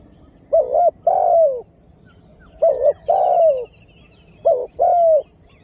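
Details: Lure spotted dove calling to attract wild birds: three phrases, each a brief coo then a longer, soft falling note, spaced about two seconds apart, with a faint high trill from another bird.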